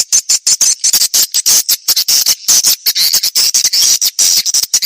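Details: Swiftlet lure call, an old-style 1972 playback recording used to attract swiftlets: rapid, dense bursts of harsh, high, buzzy chirping repeated several times a second, with brief gaps between them.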